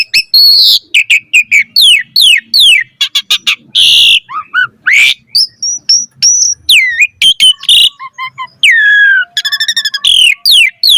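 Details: Asian pied starling song used to tutor other starlings: a dense run of high whistled slurs, harsh rasping bursts, a fast rattling trill near the end and clear piping notes, loud and continuous with short breaks.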